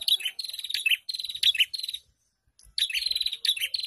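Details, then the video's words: Many prinias singing together (ombyokan), used as a lure recording for caged birds: fast, buzzy, high-pitched chirp trills in quick bursts, broken by a pause of about half a second, with faint low thuds. "Pancingan Burung Prenjak Bahan ( Ombyokan )"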